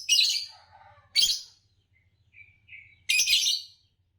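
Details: Green Fischer's lovebird from championship song-competition stock in Indonesia; loud rasping chirp bursts alternate with a thin whistled note that wavers and rises, over a faint low hum.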